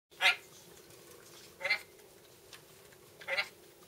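Red-breasted parakeet giving three harsh, grating squawks about a second and a half apart, over a steady low mechanical hum.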